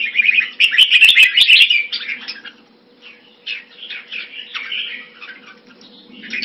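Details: Jambul (red-whiskered bulbul) kept by a hobbyist. A dense, loud warbling burst comes with rapid clicks, then a near-silent pause, then softer scattered chirpy phrases, all over a faint hum.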